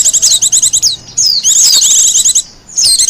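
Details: Wild Japanese white-eye singing, recorded for luring and as a master song: a dense, very high chattering warble of quick rising and falling notes, broken by a brief gap before resuming.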